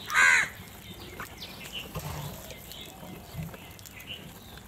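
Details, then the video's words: Crow among many birds competing for food. A single loud, rasping caw opens the clip, followed by faint, scattered distant calls and low background murmur. "Huge numbers of crows crowing and crying sounds"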